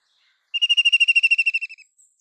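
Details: Single ringing whinny-like trill from a white-throated kingfisher: about a dozen quick, evenly spaced notes over roughly one second, drifting gently downward in pitch and fading at the close.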